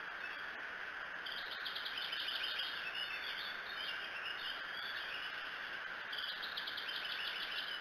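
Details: Bald eagle calling at the Decorah nest on 24 June 2018 in the small hours before dawn, captured by a nest camera; quick stuttering series of high chirping notes repeat in several bursts against continuous background hiss.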